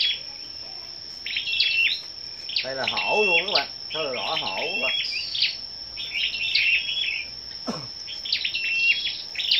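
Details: Scarlet-backed flowerpeckers singing against each other at a morning gathering, 10 May: clusters of thin, piercing ticks and short whistles, broken midway by two loud wavering low voice-like sounds and a brief thump, over a steady high whine.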